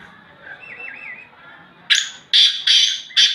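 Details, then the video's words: Male black francolin calling, loud: a faint wavering whistle first, then a run of four harsh, rasping, broadband bursts in quick succession near the end. "کاہے تیتر کی اواز بلیک فرینچ کولن وائس"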